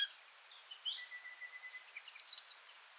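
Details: Feeding party of varied sittellas chattering near Kinchina and Mannum, South Australia: faint, high, thin chips and twitters come in quick irregular bursts, with a long, thin, steady note underneath. A Singing Honeyeater calls nearby.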